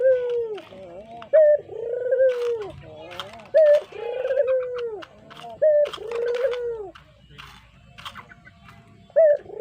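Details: Cooing of a brown puter dove, a pet bird used as a lure: a continuous series of throaty coos, each opening with a short accented note and then a drawn-out falling purr, repeated about every two seconds.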